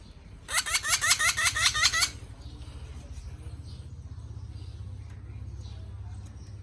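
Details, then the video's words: A pet parrot, which calls when hungry, gives a quick burst of about ten harsh, raspy squawks over a second and a half, followed by a low background rumble. "Parrot singing"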